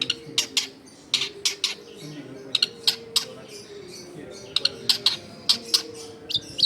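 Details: Long-tailed shrike in vigorous song, used as a lure to stir newly caught shrikes, recorded in a crowded residential area: sharp, high clicking and chattering notes in irregular bursts, over a low steady hum.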